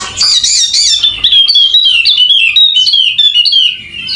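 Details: Golden-headed Wallacean white-eye, endemic to Sumbawa, West Nusa Tenggara, singing persistently. A buzzy, chattering start gives way to a long run of rapid, high, slurred whistled notes that slowly drift downward, almost without pause.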